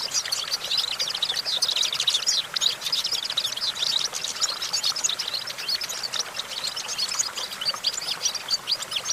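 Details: Goldfinch perched on a branch, singing a rapid, unbroken twittering of high tinkling and buzzy notes that runs on without pause.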